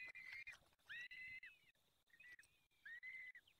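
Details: Peregrine falcon nest in the Barycz Valley, Poland, fifth feeding on 23 April 2020, 19:28: a series of four thin, high whistled calls, some rising at the start, with short scratchy clicks between them.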